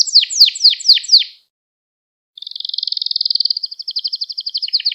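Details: Canary song used to train young canaries to sing: a burst of repeated downward-sweeping notes, a short pause, then a long rapid, buzzy trill held at a steady pitch.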